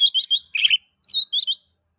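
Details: Oriental magpie-robin song, used to stimulate other magpie-robins to sing: bursts of sharp chirped high notes and a harsher buzzy note, in phrases separated by short pauses, ending in silence.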